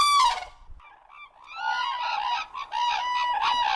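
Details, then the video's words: Crane giving a sharp descending honk, followed by a sustained, wavering trumpeted call with rich harmonics and a faint low rumble underneath. "Голоса птиц как поёт Журавль (Grus)"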